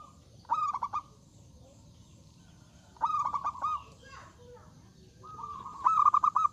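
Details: A zebra dove singing with a big, bold voice to invite rivals to reply: three stuttered cooing phrases, each a burst of quick pulses running into a held note, separated by quiet gaps of about two seconds.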